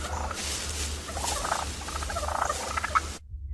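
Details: A wild turkey from Massachusetts, New England, gives its contented purr: soft, rolling, fluttery trilled notes for about three seconds over a steady low electrical hum.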